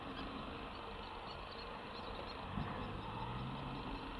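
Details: Low, even engine drone, like an idling vehicle, fills the recording with no animal call standing out.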